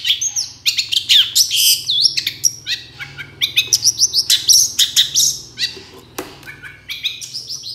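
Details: Long-tailed shrike singing vigorously as a lure to make other shrikes respond: a quick medley of high chirps, rising and falling whistles and buzzy notes, about three or four per second, with a brief pause near the end.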